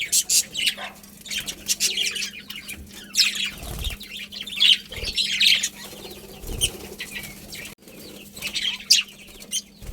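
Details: Budgerigars in a colony chattering in waves of scratchy, buzzy chirps, interrupted by a few low thuds like wing flaps or movement.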